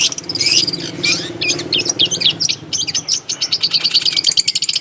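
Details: A varied natural-habitat song from the long-tailed shrike, with scratchy warbled phrases, quick sliding twitters and a fast run of bright repeated high notes.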